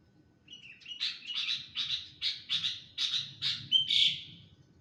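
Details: Sooty-headed bulbul, said to be stressed and seeking attention, delivering a rapid series of about eight clipped chirps that grow louder toward a final emphatic note, with a faint low hum underneath.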